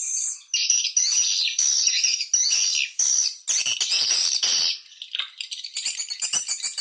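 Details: Swiftlets in a lure call for nesting houses, with buzzy high twittering phrases of about half a second to a second, each separated by brief pauses, ending in a run of quieter, rapid ticking chirps.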